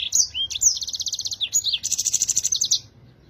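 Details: Yellow-fronted canary singing actively with a clear voice, a recording meant for tutoring other songbirds; a fast phrase of high sliding whistles leads into two bright rapid trills of evenly repeated notes, ending abruptly.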